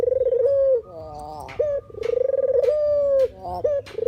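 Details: Trapping-lure call of a puter or deruk dove: two rolling coos, each a fast purr settling into a steady low tone. Clipped higher notes sound between them.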